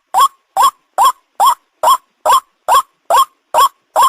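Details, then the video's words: White-breasted waterhen (ruak ruak) calling, a sound played to lure birds for catching: ten loud, nasal, upward-bending croaks in an even rhythm, roughly two per second, against silence. "the sound of the ruak ruak"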